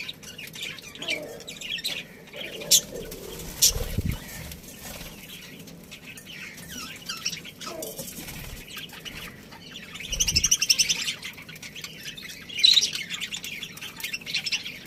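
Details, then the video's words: Budgie colony with a breeding pair, mostly quiet with scattered scratchy chirps, a few thuds and rustles, then a louder burst of chattering near the end. "Cute Budgies Chirping Sounds"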